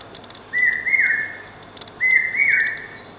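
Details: Two shrill whistled phrases of a common hawk-cuckoo, or brain fever bird, in its incessant singing, about one and a half seconds apart, each note rising sharply then sliding down, loud and clear over quiet background hiss.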